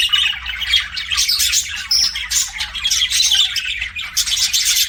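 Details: Budgies kept as pets give a steady torrent of chirps, rasping squawks and short whistles, overlapping as from several birds, with little pause and a faint low hum beneath.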